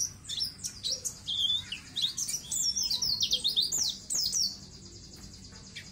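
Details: Energetic white-eye (pleci) song meant to coax untrained birds into long singing: quick high twitters and chattering trills for about four seconds, then fading into a soft, thin continuous twitter.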